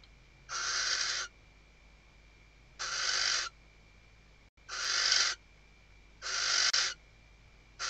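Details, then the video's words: Female Western barn owl on a nest webcam at Riet Vell Nature Reserve, Ebro Delta, Tarragona, Spain, 2023 season, calling the male while stuffing the nest: four harsh, broadband hissing screeches, each under a second, spaced irregularly. "Atusando el nido y llamando al macho · Stuffing the nest and calling the male"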